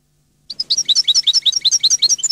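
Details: Continuous European goldfinch twittering, a brisk sequence of high, bright, varied chirping notes delivered at a rapid, slightly uneven pace.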